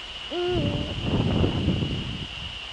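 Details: Eurasian eagle-owl male recorded in the Netherlands on the evening of 30 January 2013, 18:00: a single deep hoot, level then dropping, followed by loud low rumbling and buffeting noise, with a constant high whine throughout.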